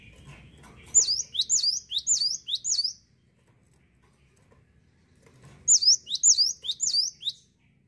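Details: Cinereous tit singing energetically: two bursts of four to five sharp, high, down-slurred whistled notes in quick succession, separated by about two seconds of quiet, over faint low background rumble.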